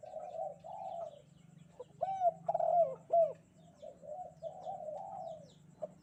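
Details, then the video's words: Spotted dove singing gacor-style kuk 2 on a bright morning. Long, soft humming coos surround a central burst of three loud, sharply arched coos, over a faint low hum. "burung derkuku kuk 2 gacor"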